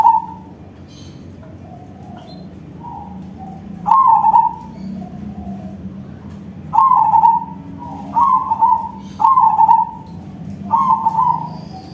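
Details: Loud-voiced crossbred zebra dove in song, giving repeated short trilled coo phrases, quiet at first and then coming in closer bursts toward the end, with fainter cooing between them over low background hum.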